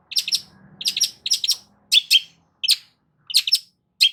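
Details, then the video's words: Long-tailed shrike song for enticing a silent shrike to sing: grating paired and tripled chattering notes in uneven bursts, with a soft low hum early on. "CENDET MACET COBA PANCING DENGAR KICAU EFEKTIF SUPER LANTR BONGKR ISIAN INI DIJAMIN NYAUT"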